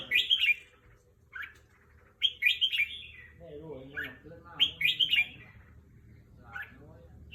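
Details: Caged red-whiskered bulbul kept as a competition songbird, singing in the evening: short bright warbled phrases in bursts of three or four notes, repeated about every two seconds, with a lower rough chattering in between and a faint background hum.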